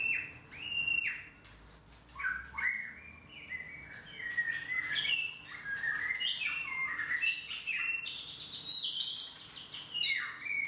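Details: White-rumped shama, a kept bird missing its two main tail feathers, singing a varied song of clear whistles, sliding notes and sharp higher chips in quick changing phrases, with a steady low hum behind.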